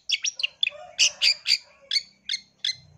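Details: Female Long-tailed Shrike calling the male: a quick series of short, sharp, high chirping notes, some paired, with brief gaps between them.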